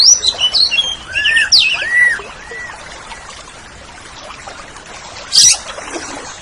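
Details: Oriental magpie-robin singing on a tutor recording for pet songbirds: a quick run of high whistles and looping slurred notes, then near silence broken by one short harsh burst.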